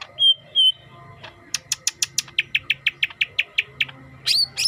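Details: Green leafbird with a yellow head, singing: two clear high whistles, then a quick run of about a dozen short, sharp notes repeated several times a second, ending in a few bright, rising, squeaky notes over a faint low hum.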